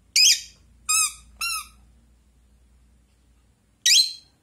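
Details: Pet rosy-faced lovebird chatting with a toy duck, replying every time, gives two harsh, raspy screeches with two clear, downslurred squeaky notes between them, in a quiet room.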